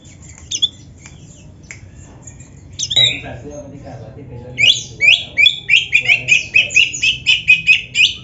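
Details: Oriental magpie-robin training recording for caged birds. Sparse, scattered notes and faint background murmur give way to a steady series of bright, repeated whistled notes, roughly two per second, through the second half.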